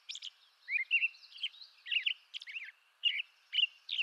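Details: Eastern North American robin song: clear slurred whistled phrases about two per second, alternating lower warbled notes with sharp high squeaky ones, over a faint steady background hiss.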